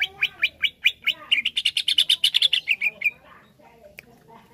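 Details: Greater green leafbird song starting with about six spaced, sharp rising chirps, then speeding into a fast, bright, ringing run of notes that ends abruptly, with faint background sounds afterward.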